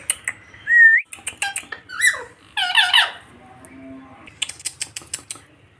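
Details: Indian ringneck parakeets kept as pets, described as making fun of one another: one clear rising whistle, clicking, a burst of buzzy harmonic chatter, a low hum, then a fast series of clicks.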